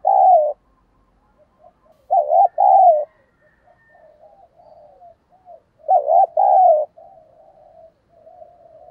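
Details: Spotted dove urged to fight, giving giọng thổ style coos: a loud opening note, then two bursts of paired, warbling, low cooing phrases about four seconds apart, with quiet trailing coos between them.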